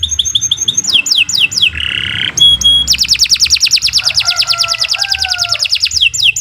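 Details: Canary in long continuous song for training other birds: rapid high downslurred notes, a buzzy harsh burst, then a very fast rolling trill of repeated notes with lower whistled tones beneath.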